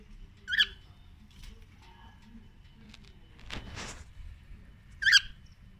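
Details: A male cockatiel inside its cage, wanting out, gives two loud, piercing, harmonic chirped screeches about four and a half seconds apart, with a rustling burst between them. Recorded on a Huawei P20 phone.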